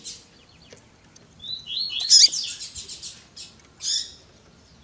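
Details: Tui tui zel zel singing from a double-collared seedeater mixed with female calls to excite males. A rising slurred whistle leads into a dense high chattering phrase, and a short call follows near the end.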